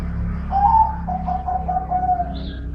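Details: Dove with a middle-pitched voice, giving a drawn-out tonal coo that rises slightly, then steadies and falls away, heard over a constant low engine-like rumble.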